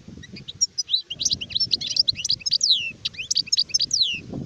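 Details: European goldfinch, an adult sharef, in full song: dense, rapid twitters and downward-sliding liquid whistles tumbling over one another almost without pause, against quiet low rumble.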